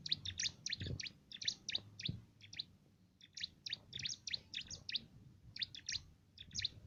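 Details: Canary-flavoured 'isian' song of a cimblek, kept as song filler for competition birds: dense, high, twittering phrases with a brief lull in the middle, plus faint low thumps.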